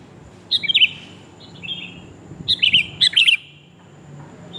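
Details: Lure recording of a female sooty-headed bulbul calling the male: short groups of bright, quavering chirps, one soft phrase between, then two more chattering bursts close together.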